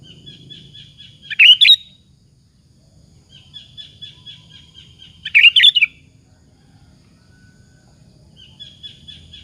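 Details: Kutilang, sooty-headed bulbul, used as a lure to make other bulbuls reply; two bright chirpy bubbling phrases about four seconds apart, each preceded by a faint thin sustained whistle, low hum beneath.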